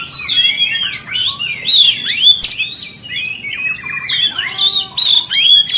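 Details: Oriental magpie-robin singing to provoke rival magpie-robins, a fast rich medley of clear whistles, upslurs and down-slurred chirps, phrases tumbling without pause, several bright piercing notes near the top.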